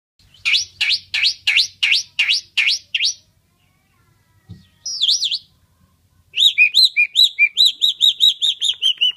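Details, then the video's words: Asian pied starling, described as imitating human voices, gives loud whistles: a run of seven sharp rising-falling notes, a short twisting phrase, then a rapid string of about a dozen clear chirped whistles. "Jalak suren gacor Unik meniru suara orang"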